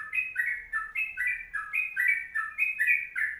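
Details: Energetic Sooty-headed bulbul, master recording of the long 'ropelan' song: crisp two-part whistled notes, a higher slur followed by a lower one, repeated rhythmically about every third of a second, with no competing sounds.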